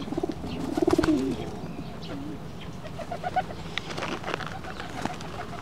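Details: Pigeons struggling with each other while feeding on rice near a stone seat; a low, rolling coo near the start, then soft scattered wing flutters and scuffling.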